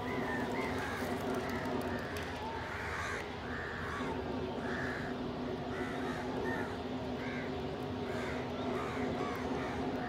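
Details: Crows feeding together and squabbling over food with pigeons nearby; a busy series of loud, hoarse caws repeating throughout, sometimes in quick pairs, over a steady droning hum.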